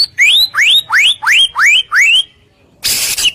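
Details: Lure song of a white-rumped shama meant to agitate other shamas: six loud rising whistled notes in steady sequence, a brief pause, then a burst of harsh noisy sound.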